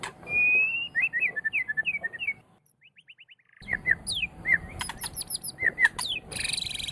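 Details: Captive white-rumped shama song used as a training track for pet songbirds: clear whistled phrases near the middle pitch, a short run of rapid soft notes, then varied chirps and high trills.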